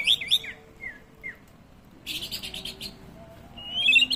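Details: White-rumped shama song used as a lure to provoke other birds into answering. Bright twisting whistled notes open the phrase, followed by two short down-slurred whistles, a burst of rapid buzzy chattering, then more looping whistles.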